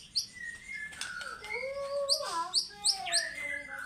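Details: Fighter-style song of a white-rumped shama: long clear whistles gliding and sustained, layered with short high upswept chips repeated in quick succession.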